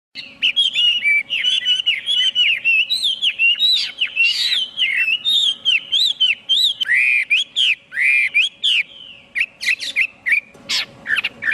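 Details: Chinese hwamei singing a loud, varied run of clear whistled phrases, many notes swooping and repeated in quick series, with a few harsher buzzy notes near the end and a faint steady hum beneath.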